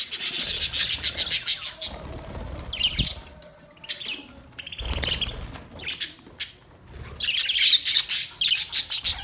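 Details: Parrot chirping in rapid, high-pitched bursts of twittering notes, with pauses and scattered harsh squawks, plus occasional thumps and low noise.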